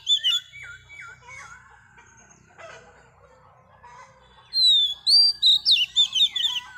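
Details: A wild-caught female Oriental magpie-robin sings to stir males; soft, repeated swooping notes and light chatter precede a loud, fast series of high, ringing whistled phrases, with faint low rumble beneath.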